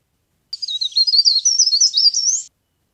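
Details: Leaf warbler, known as cikrak daun, in a lure recording for trapping: one continuous two-second phrase of high, quick, wavering whistles rising and falling, with no other sounds.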